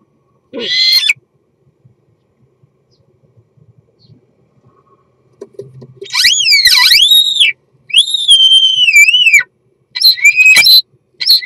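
A common starling sings its courtship song: a rough burst, a pause, then slurred wheezy whistles dipping and rising, ending in scratchy rattles.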